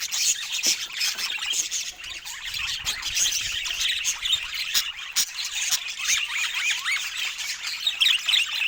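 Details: Rare budgerigars filmed in natural Scandinavian light, free of speech and music: steady squawky chatter and warbled chirps from several birds, with occasional sharp clicks.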